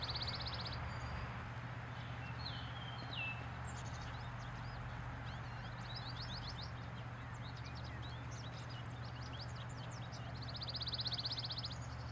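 Pine warbler singing a quick, even musical trill, twice about ten seconds apart, with other birds chirping in between over a steady low traffic hum.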